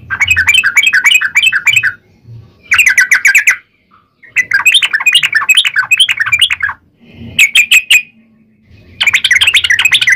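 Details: Sooty-headed bulbul in fast fighting song with long runs, played as a lure so other bulbuls reply. Several bursts of rapid chirping notes alternate with short pauses, and a faint low hum runs underneath.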